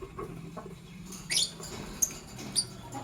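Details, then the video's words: Morning chirping from lovebirds, a green Fischer's and a pastel blue: a brief bright squeaky burst, then two short high chirps about half a second apart over a low steady hum. "Lovebird Chirping Sounds - Sing And Funny"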